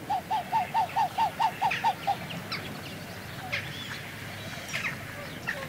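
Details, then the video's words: A pair of Upland (Magellan) geese give close-up display calls: a rapid series of about ten soft, whistled notes over two seconds, then quieter chatter of distant jackdaws and house sparrows. "Magellan Goose / C.P.Leucoptera CU Display Calls From Pair"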